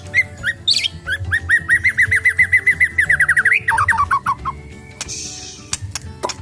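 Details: Captive White-rumped Shama in a flight aviary, ringed, being exercised: a fast run of about twenty identical short whistled notes, then a quick descending flourish and a long thin whistle, over steady low hum.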